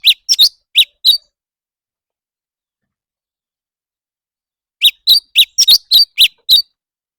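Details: Leafbird in competitive singing: two bursts of sharp, high chirped notes, four quick notes, then after a pause of almost four seconds a faster run of about eight clipped notes. The background is otherwise silent.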